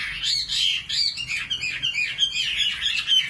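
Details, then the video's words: Common nightingale singing a quick, jumbled warble of short rising and falling notes, steady and bright, with small bursts of emphasis throughout. "Singing nightingale. amazing bird song"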